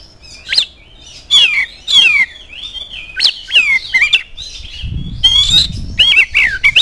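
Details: Oriental magpie-robin singing as a lure to make other birds sing, delivering varied sweeping whistles and harsh notes in quick bursts about every half second, with a brief low rumble of background noise midway.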